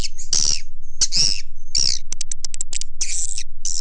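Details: Swiftlet lure call for attracting swiftlets in Indonesia: harsh rasping bursts with thin whistled slides between them, followed by rapid dry clicking and another buzzy chatter.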